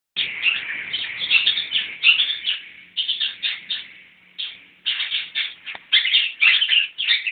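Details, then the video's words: Newly caught Long-tailed Shrike (pentet anyaran) chattering: harsh, scratchy bursts packed together for several seconds, with a short quiet gap midway before the rapid grating notes resume. "kicau pentet anyaran"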